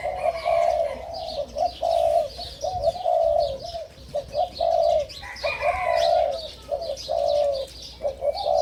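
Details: Captive five-month-old hybrid spotted doves, first clutch, excited and cooing: low, hoarse, repeated coos in overlapping phrases, roughly one a second, with small birds chirping faintly behind.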